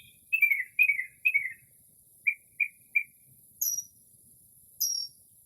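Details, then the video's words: Northern mockingbird giving its late-night early spring mimicry song near a home: slurred descending notes, then three short clipped chips, then two thin high whistles, a varied medley in a silent setting. "Northern Mockingbird Mimics Different Bird Calls"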